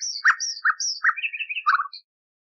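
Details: A common nightingale sings a brief phrase from an old recording cleaned of noise, used for canary training: loud chirps, high whistles, a quick trill and a low rolling ending.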